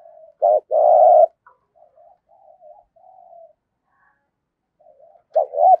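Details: Spotted dove kept as a decoy bird, singing in the prized 'giọng thổ' voice style: a short note and a long, low, even coo, then soft faint murmurs, and a fresh pair of short hooked notes at the end.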